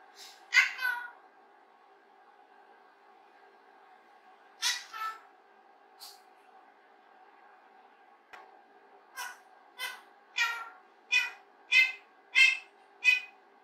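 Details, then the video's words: A rose-ringed parakeet, alone in its playroom, practises human speech, chattering in short, scratchy, speech-like phrases, first in scattered bursts, then a quick run of about eight syllables at the end. "👄사람말 연습하는 목도리 앵무새"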